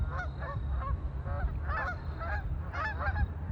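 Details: Ducks on a lake giving nasal, honking calls in short clustered bursts, several overlapping notes every half second or so, over a steady low rumble of background noise.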